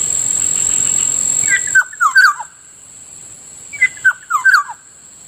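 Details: Black-naped oriole heard in the morning by a rice field: two quick phrases of mellow, slurred whistles dropping in pitch, about two seconds apart, with a steady insect whine fading out.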